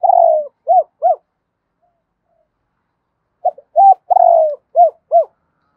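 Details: Spotted dove coo series meant to spur decoy birds to call fast. Buzzy descending coo followed by two arched notes, then after a pause a full phrase of short notes, a drawn-out falling coo and two more rounded coos.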